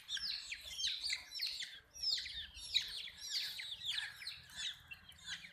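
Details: Baby hen chicks chirp in a lively chorus of piercing, down-slurred peeps, tightly overlapping and bunched in quick runs, with faint low background murmur.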